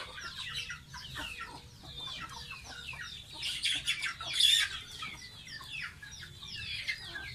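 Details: Pet baby goose bathing, calling with high descending peeps in loose runs, growing louder and more strident midway, over quiet background.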